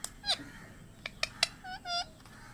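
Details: A parrot gives a quick run of harsh, raspy squawks and clipped, nasal notes, some short and clicking, others drawn out with a slight buzz, over low background hum.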